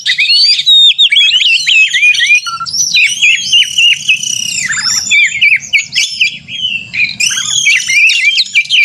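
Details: White-rumped shama (kacer) in a provoking fighting song meant to rouse other shamas: loud, varied whistles and squeaky notes above 2k, dense rapid phrases with frequent pitch slides, a brief pause near the middle.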